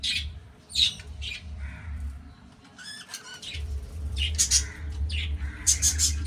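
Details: Captive budgerigars during breeding make harsh squawks and warbling chirps in irregular bursts, several birds overlapping, with a low droning hum in the background.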